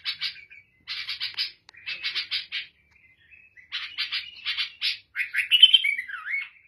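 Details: Black-headed bulbul, called Lebanese or Syrian, delivering rapid rattling note clusters separated by short gaps, ending with a clear fluty phrase and a downward slurred whistle.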